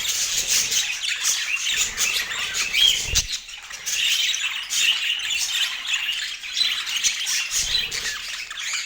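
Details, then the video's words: Pet budgerigars chirping while eating during a daily food routine: continuous busy high squawks and chirps from several birds, scratchy and overlapping, with a few soft thumps and pauses. "Daily Healthy Food Routine for Budgies with Sweet Chirping Sounds"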